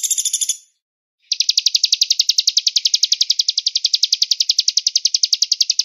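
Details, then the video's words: Master song of a velvet-fronted nuthatch in the 'cigun gereja' style with pauses and a far-carrying voice. A brief dense jingling rattle, then half a second of silence, then a long, even run of quick, high chipping notes, roughly eight per second. "MASTER Pelatuk beras Cigun Gereja Jeda Suara Jauh"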